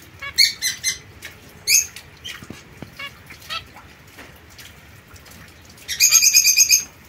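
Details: Young captive zebra finch pair, white female and mosaic male, separated from other birds; scattered short nasal chirps early, then a quick buzzy series of repeated beeps near the end.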